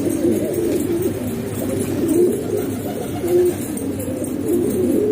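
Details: Pigeons kept at a house in Pakistan, a low chorus of overlapping cooing with soft rolling notes that swell and fade every second or so, over steady background hum.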